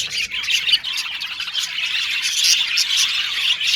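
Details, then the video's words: Happy budgies chirping and squawking, harsh short squawks mixed into a continuous high chatter of tweets and trills from many birds, growing busier in the second half. "Beautiful Cute Budgies Chirping Sound | Australian budgies Singing sound"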